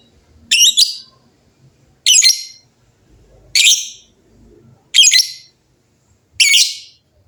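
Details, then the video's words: Lovebirds loudly answering one another in a noisy chorus. Five harsh, shrill squawks come at fairly steady intervals of about 1.4 seconds, with near silence between. "LOVEBIRD GACOR GAYA MEWAH SEMUA LOVEBIRD JADI BUNYI RIBUT BERSAUTAN"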